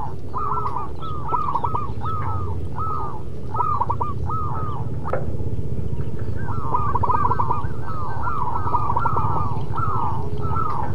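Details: Local zebra dove singing persistently: two bursts of quick, trilled, downward-curving coo notes separated by a short click, over constant low-pitched background noise.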